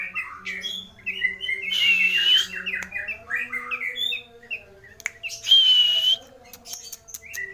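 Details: Long-tailed shrike (cendet or pentet) singing a full, varied song rich in fill-in phrases: tumbling slurred chatter mixed with long, thin, level whistles, with pauses between bursts.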